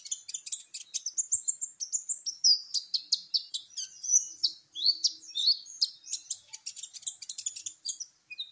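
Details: Sunbird song played as a lure to set other birds singing: a dense, rapid stream of high, thin chirps, trills and sharp twitters, with continuous overlapping notes and almost no pauses.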